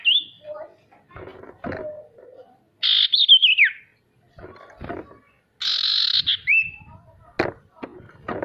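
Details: Lure song of a male sirtu for stirring silent birds to sing: three buzzy, rasping phrases that slur downward or end in a short whistle, separated by low clicks and taps.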